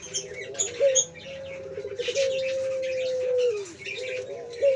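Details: Male puter pelung dove from a bird farm, singing actively: a long, steady, low drawn-out coo held for about two and a half seconds after short opening notes, then a brief upturned note. High chirping from other small birds throughout.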